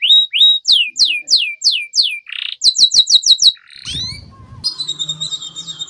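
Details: Canary song as a lure for young canaries, with paired whistles, a series of loud downslurred chirps, a buzz, quick twittering notes and a fading trill over slight low noise.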